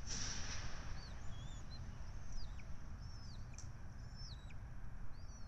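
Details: A Syracuse University red-tailed hawk nest during feeding, 12 May 2024, recorded by nest camera: faint high, wavering whistled calls, several dipping downward, repeat through the recording over a strong low rumble.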